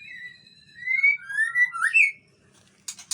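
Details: Raging long-tailed male white-rumped shama of the Aceh type gives a varied run of clear whistles. Long level notes lead into rising and falling slurred phrases, ending in quick upward sweeps, then a couple of rough, harsh bursts.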